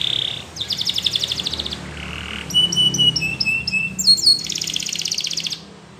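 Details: Singing Belgian canary moves through phrases: a brief high note, a fast rolling trill, a lower buzzy burst, a series of clipped whistled notes, then a bright sustained high trill.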